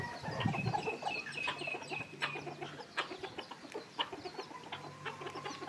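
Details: Red junglefowl decoy birds at a captive keeping site in the evening cluck in quick, uneven bursts, several birds overlapping, with thin whistled notes from other birds and a steady low hum underneath.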